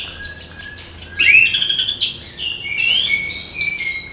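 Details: Orange-headed thrush singing a chattering gemercik song in the morning: rapid high twittering notes, then sweeping whistled slurs that rise and fall, densely packed with no pauses.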